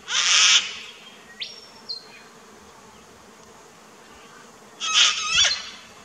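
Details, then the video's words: Sulphur-crested cockatoo in an Australian backyard garden, filmed 21 September 2019, gives two harsh, raucous, boisterous screeches about five seconds apart, with a brief thin whistle from another bird between them. "Bird Calls/Songs/Sounds~Sulphur-crested Cockatoo"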